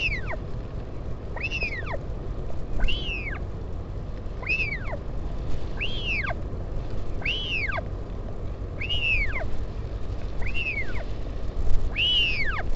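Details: During a parent's visit to its chick, 16 July 2019, northern royal albatross calling at the Taiaroa Head colony near Dunedin, New Zealand. Eight clear whistles rise and fall in an arch, spaced about one and a half seconds apart, with constant low wind noise.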